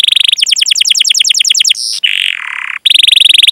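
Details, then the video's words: Canary singing to lure other canaries into song: a rapid chattering trill, a brief buzzy steady tone, a short pause, then another fast rolling trill. "Masteran Suara Burung Kenari Gacor Panjang cuit cuit Ngerol untuk Pancingan Kenari!"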